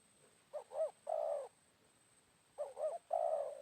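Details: During decoy luring of wild spotted doves shortly after noon following rain, two phrases sound: a pair of quick looping coos then a prolonged even coo, roughly two seconds apart, over a quiet background with a steady high tone.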